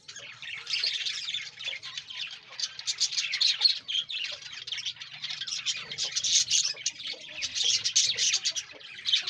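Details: Many budgerigars in a breeding colony, a continuous loud twittering chorus of fast squeaky chirps and warbles that swells and ebbs without pause.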